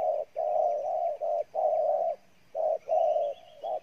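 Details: Vigorous cooing from a wild-caught spotted dove: a steady run of loud, low, mellow coos, each held about half a second, with short gaps between them.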